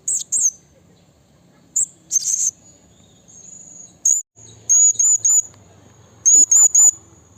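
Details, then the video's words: In the wild, a blue-crowned hanging parrot calls out to a rival: sharp high-pitched chirps, a thin sustained whistle, then clipped triplets of squeaky notes, used to lure and train birds. "Suara Burung Serindit Memanggil Lawan Alam Liar"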